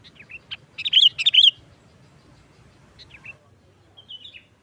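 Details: Sooty-headed bulbul in loud 'nggaruda' style song used as a lure for trapping bulbuls: a burst of bright, bubbly notes near the start, followed by scattered fainter chirps and quiet gaps.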